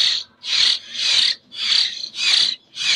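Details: Hand-fed common hill myna nestling, a local bird from Jember, Indonesia, begging with loud grating rasps, each roughly half a second long, coming about twice every second in a regular rhythm.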